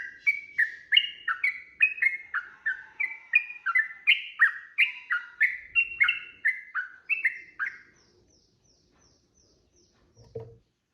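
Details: Sooty-headed bulbul singing a long, fast fighting song used as a provoking lure. Quick bright whistled notes run for about eight seconds, then stop, leaving faint high ticking and a brief dull knock.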